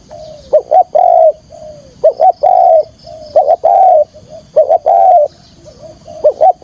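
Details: Spotted dove decoy bird giving its full cooing song, used to lure wild doves into traps: low, mellow coos with quick double notes leading into longer sustained coo phrases, repeated about every one and a half seconds.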